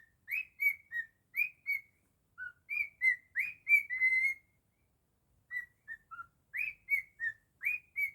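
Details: Own-version Jingle Bells from a pet cockatiel, groups of crisp whistled notes with sharp rising onsets, some dipping lower, a held tone, a pause around mid-phrase, then more quick notes.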